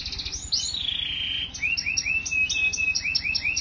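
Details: Canary song, part of a continuous stretch of singing: a long sliding note at the start, then a string of bright upslurred whistles repeated about three times a second, with high chips overhead.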